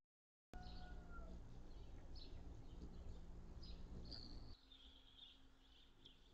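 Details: Brief high chips from Anna's hummingbirds visiting feeders on June 10, 2022, sounding in fast, irregular runs; a couple of short whistled tones near the start and a low hum that drops away midway.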